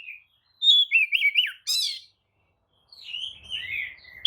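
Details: Kacer, the Oriental magpie-robin, delivering a provoking lure song with tail spread: a bright whistle, fast wavering warble and harsh buzzy burst, a pause, then softer rambling warbled notes.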